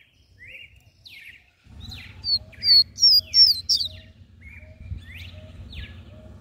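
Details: Coleiro (double-collared seedeater) in mateiro song style to fire up males: clear whistled notes, then loud high sharp buzzy slurs quickly repeated, easing back to softer whistles, with a low steady hum behind.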